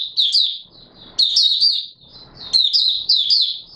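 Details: Oriental white-eye singing on 24 March 2022, an opening-song recording. Shrill, tumbling warbled notes arrive in three quick bursts separated by faint rustles.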